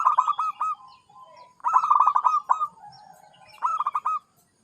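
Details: Zebra dove singing: three rolling phrases about two seconds apart, each a quick run of pulsed cooing notes around one pitch, ending in a drawn-out, slightly falling coo. Quiet background.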